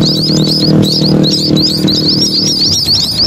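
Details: A flock of munias at the roadside of a main road gives a busy, overlapping chatter of thin, high peeps, several each second, over a steady low rumble of road traffic.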